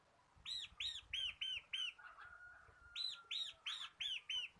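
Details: Ngebren-style song of a local bar-winged prinia, a cage bird used as a tutor and lure for other birds: two runs of five ringing arched chirps, briskly repeated, with a thin faint whistle between them.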